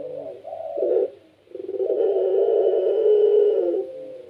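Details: Barbary dove of the pelung style, kept and singing eagerly to draw other doves into cooing: two short clipped coos, a brief hush, then a long, steady, trembling low coo lasting over two seconds.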